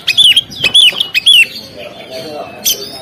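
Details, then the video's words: Oriental magpie-robin in song on the contest stand, giving three loud clear whistled phrases that slur down, each about half a second apart, then a quieter pause and one last sharp high note. "SUARA BURUNG KACER, Langsung on di gantangan"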